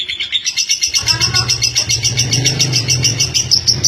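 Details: Long-singing caged female lovebird from East Lampung, Indonesia: unbroken high, rapid chattering trill with fast regular pulses, a steady low rumble or motor hum entering after the first second.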